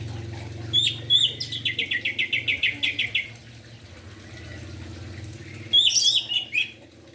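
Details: Orange-headed thrush singing energetically in the morning, used to rouse reluctant or silent thrushes and spotted juveniles into song: scattered high whistled chirps, then a rapid run of about ten repeated notes falling slightly, then more bright chirps over a low hum.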